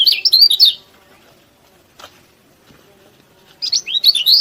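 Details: Yellow-bellied prinia, a lively singer used as a training recording to provoke rival birds' emotion and arousal: two bursts of high, fast, scratchy chirping trills, one at the start and one at the end, with near silence between.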